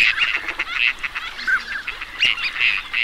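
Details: Teal chatter in a group: rapid, overlapping nasal honking notes, some louder bursts standing out, and a few brief whistles mixed into the steady din.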